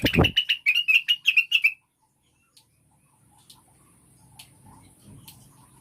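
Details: Cucak wilis lure song to prompt caged birds to sing: a dull thump opens a quick, even series of sharp, high chirps, roughly a dozen in under two seconds, followed by silence and faint low background noise.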